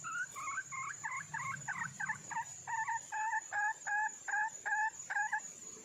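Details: Female red junglefowl calling for a male mate: a run of about twelve short, clucking two-toned notes that start uneven and settle into an evenly spaced series, over a steady high insect whine.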